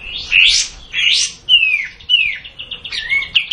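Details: A kapas tembak bulbul utters short squeaky upsweeps and two clear descending whistles, then a brief soft trill, in a varied phrase of about three seconds.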